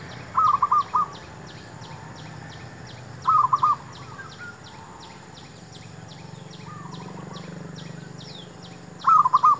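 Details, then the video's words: Zebra dove song used to lure wild doves for trapping: three short bursts of quick, soft cooing notes spaced several seconds apart, with a faint fourth phrase, over a steady, regular ticking of insects. "MEMIKAT MERBUK"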